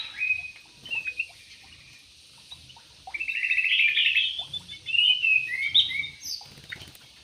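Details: Yellow-vented bulbul in an aviary: a brief bubbly note near the start, then a longer run of quick, chattering, warbled phrases after a quiet gap, ending in a rising whistled note.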